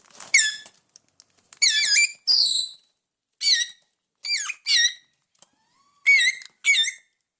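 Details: Hungry caged parrots indoors making loud, buzzy, wavering squawks in short bursts, about eight calls with some higher whistled notes, in a quiet room.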